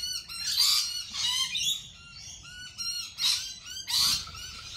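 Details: Lorikeets giving harsh, raspy screeches in short separate bursts, about five strident calls with thin whistled notes between them, over a quiet background.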